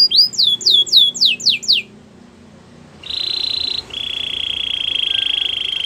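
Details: A canary gives a quick set of high descending whistled notes, a short pause, then a long, even buzzing roll held at one pitch until the end.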